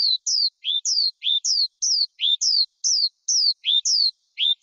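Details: Forest skylark calling in spaced pairs: a lower, rough note followed by a high downward-slurring whistle, repeated with short pauses over several seconds. Nothing else is audible.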